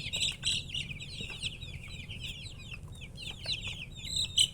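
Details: Young chickens chirping in quick bursts of high, slurred peeps, several chicks calling over one another above a soft low hum.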